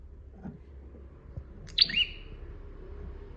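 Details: Single call of a bar-winged prinia from a training recording: one bright, high note that sweeps down in pitch, with a faint low murmur and occasional soft knocks around it.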